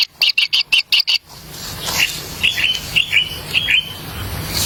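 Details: Nestling kingfishers fed a black lizard by their parent in the wild. A quick run of short, buzzy high calls is followed by fainter, thin, slightly rising calls over background noise.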